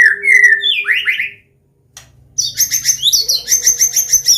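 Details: Combination song of a Medan white-rumped shama, in the loud open style used to coax young birds into singing: two bright upward-swept whistles, a short pause, then fast, high, chattering trills over a low rumble.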